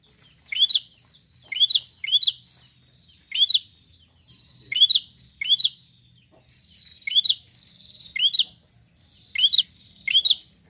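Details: Bar-winged prinia uttering sharp upslurred chip notes, singly or in pairs, repeated roughly every second over a faint thin whistle.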